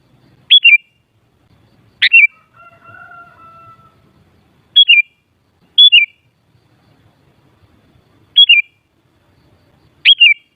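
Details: Sooty-headed bulbul repeating a short, liquid, downward-slurred phrase six times at uneven intervals, with a faint steady whistle-like tone heard once in the background.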